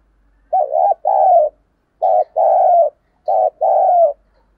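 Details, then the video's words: Spotted dove kept as a decoy bird, calling to lure wild doves: three low, mellow cooing phrases, each a short coo followed by a longer drawn-out coo, spaced about every one and a half seconds, with a quiet background. "tiếng cu gáy/ Chim Cu Mồi Thúc Gù Gáy Gọi Đủ Bài Kích Bổi Hiệu Quả"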